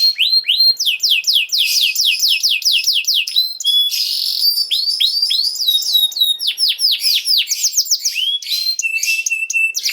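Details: Canary singing, used as a master song to get young canaries singing: fast runs of repeated upswept notes, a steady whistled tone, then more looping chirps and rolls.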